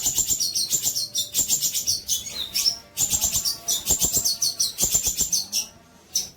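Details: Training song of a long-tailed shrike, meant for tutoring other birds: rapid high chattering phrases mixed with slurred whistles, delivered in bursts separated by short gaps, a faint low hum underneath.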